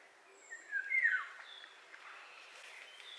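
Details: Single loud, rich fluting phrase of a Eurasian golden oriole, sliding downward and lasting about half a second, followed by faint distant chirps and background hiss.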